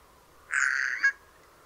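A Eurasian jay gives one loud, harsh, rasping screech lasting about half a second, ending in a brief sharper note. The background is quiet.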